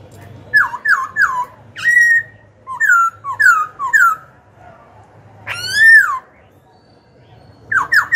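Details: Caged young black-throated laughingthrush singing to goad rivals and train young birds; rich whistled phrases of quick falling notes in threes, a long upswept whistle, then more rapid down-slurred triplets.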